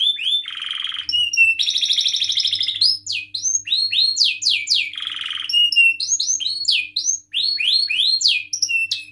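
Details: Canary singing as a prompt to get other canaries singing: varied, fast song of swooping whistled notes, falling and rising sweeps mixed with buzzy trills and harsh rattling rolls, almost continuous.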